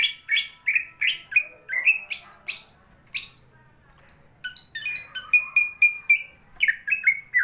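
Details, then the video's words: Greater green leafbird, described as singing vigorously and in good fighting form, delivers a rapid varied series of bright whistled and chattering notes, rising and falling phrases, ending with a run of repeated clear whistles. "burung cucak ijone gacor bolo konco..tarung bagus ngentrok.."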